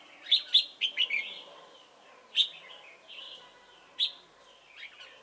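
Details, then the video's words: Red-whiskered bulbul used as a trapping decoy at Chùa Hương, Vietnam, 28 November 2017, delivering quick clear whistled notes in a tight cluster, then single sharp notes spaced a second or more apart. "Bẫy chào mào Chùa hương chơi mau mỏ"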